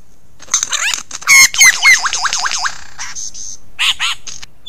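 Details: Mimicking lyrebird: rapid zigzag trills, warbling up and down several times per second in two bursts, then a shorter warbled phrase, over a steady hiss.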